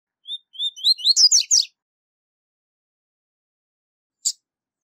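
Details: High-level tui tui zel zel song by a rusty-collared seedeater, meant for teaching young birds: clear upslurred whistles quickening into a dense buzzy trill, followed by silence and one sharp click.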